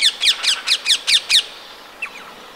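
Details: Rose-ringed parakeet in the town of Empuriabrava, Catalonia, on a winter day, 26 January: seven loud, harsh, shrill screeches in rapid even series, then a pause and two faint distant screeches.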